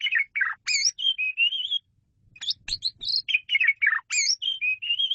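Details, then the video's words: Asian pied starling pouring out a rich, continuous song: fast mix of whistles, slurred up-and-down notes and buzzy chatters with hardly a pause, one short break near the middle. "KICAU SUPER GACOR!!! JAGO BANGET MASTERAN JALAK SUREN INI"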